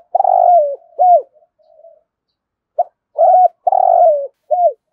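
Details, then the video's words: Spotted dove in rolling 'thổ rền' voice, 'thúc gù' cooing: a long vibrating coo sliding slightly downward, then a curved closing note; after a pause, a short note, a hooked coo and another long roll. "Tiếng cu gáy thúc gù giọng thổ hay rền rền"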